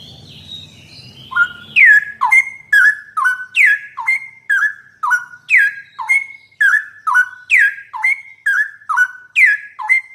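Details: Straw-headed bulbul singing for use as training material for a trucukan (yellow-vented bulbul): after a brief low rumble and a faint high note, bright whistled phrases begin, swooping then holding steady, repeated roughly twice a second.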